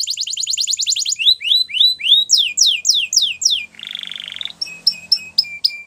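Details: Canary singing a training song, a fast chattering trill followed by repeated sweeping whistled notes, a brief harsh buzzy passage, then spaced sharp chips.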